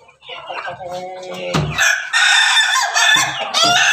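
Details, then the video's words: Rooster crossbred from Pelung, Bangkok and Ketawa chickens, red comb, farm at Banguntapan, Yogyakarta; after soft clucking, a loud sustained ringing crow runs nearly two seconds, broken briefly, then resumes strongly at the end. "ternak ayam Persilangan ayam pelung Bangkok ketawa berkokok"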